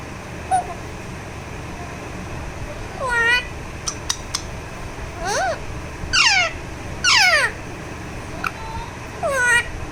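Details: Talking Alexandrine parakeet enjoying a massage utters scattered falling squawks and harsher rasping calls, with a few clicks between them.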